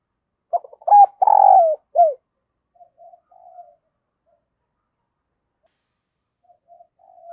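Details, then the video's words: Decoy spotted dove calling wild birds: one loud phrase of quick short notes, a long wavering coo and a falling end note, then faint answering coos in the distance. "Tiếng Chim Cu Mồi Gáy Gọi Bổi, Kích bổi nhanh gáy"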